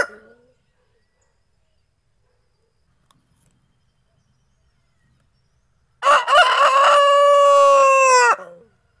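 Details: A rooster, one of three Criollo roosters kept together in a yard pen, lets out one loud, drawn-out crow of about two seconds, harsh and strained then steady before cutting off, after several seconds of near silence.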